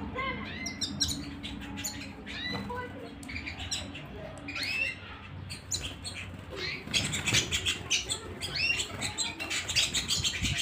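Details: A canary singing at home delivers dense, rapid twitters and slurred whistles that grow fuller and louder in the second half, with a low hum behind.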